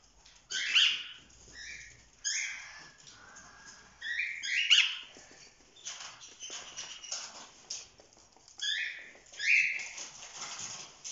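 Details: Group of young cockatiels, chicks now over four months old, having fun: clusters of scratchy rising-and-falling chirps repeated in bouts every couple of seconds, several birds overlapping.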